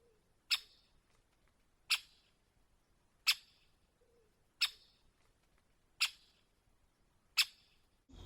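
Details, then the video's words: Great spotted woodpecker call: six sharp, high 'chick' notes, each a single hard click about a second and a half apart, with a soft thump at the end. "So, just to help, let's have a listen to the great spotted woodpecker."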